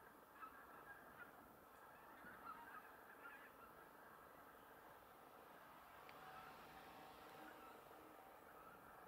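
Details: A wintering flock of Common Cranes at Ljubljana Marsh (Ljubljansko barje), Slovenia, on 31 December 2021 gives a steady clamour of overlapping honking, trumpeting calls, with no pause and no single bird standing out.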